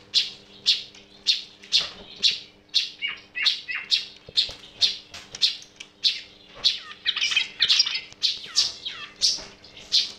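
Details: Unusual sound of a yellow-vented bulbul: harsh, scratchy chirps repeated at a steady pace, with a few brief chattering bursts and a low hum underneath.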